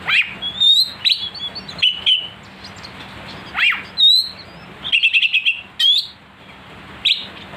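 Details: Oriental magpie-robin song for rousing a kacer: sharp rising and falling whistled notes repeated at intervals, broken by one fast buzzy trill near the middle.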